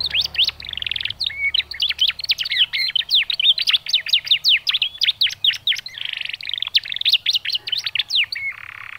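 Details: Canary chirping used to prompt canaries to sing: a fast, dense stream of sharp high chirps and sweeping notes, several each second, with brief pauses and a short buzzy note at the end.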